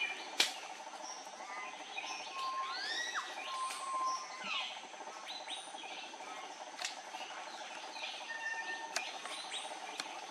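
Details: Andaman bulbul recorded close up on Andaman Island, India, March 2020; a lively chatter of rapid slurred chirps and level whistles, interrupted by a few sharp clicks, over constant background hiss.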